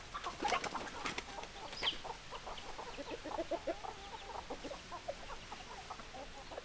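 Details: Hens clucking in quick runs of short notes, with a high squeaky call early on, over the steady murmur of the rest of the flock.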